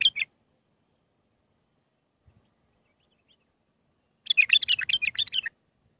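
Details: Bulbul song, Mandalawi style with six phrases, for teaching young birds: a brief opening note, a long silence, then a dense, bubbling warbled phrase just over a second long.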